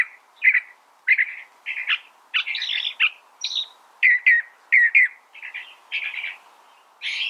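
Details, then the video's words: California thrasher giving a rambling song of rough, mid-pitched phrases, several repeated twice in a row, with sharper higher notes mixed in and a faint background hum. "California Thrasher Bird Sound"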